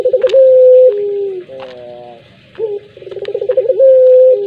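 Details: Puter pelung collared dove cooing: a fast stuttering run of pulsed coos climbs into a long, steady, drawn-out note, then drops to a lower falling tone. The phrase repeats, with faint clicks and wavering tones between phrases.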